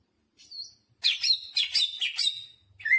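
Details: A greater green leafbird delivers a short burst of full song containing jamtrok phrases: one soft whistle, then a rich, tumbling flurry of warbled, slurred notes ending in a rising whistle.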